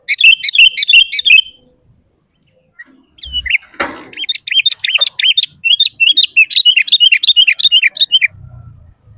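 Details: Sooty-headed bulbul singing vigorously, a recording for luring wild and kept bulbuls: a rapid chattering burst, a silent gap with a knock-like thud, then a long even run of quick, sharp, repeated notes.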